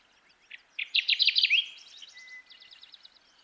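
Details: Loud Kirtland's warbler song, several separate chips speeding into a ringing string of emphatic notes with a slurred finish, while softer high buzzy trills repeat in the background.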